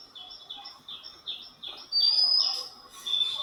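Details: Oriental Magpie-Robin, one of a family of parents and two young feeding in the morning in mild sun, gives clear, high whistled notes repeated about every third of a second, ending in a louder rising whistle; faint background noise.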